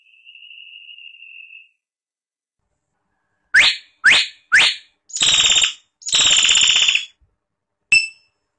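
Hill myna giving a long, level high whistle, then three quick rising whistles, two loud harsh rasping screeches and a brief final note. No other sounds.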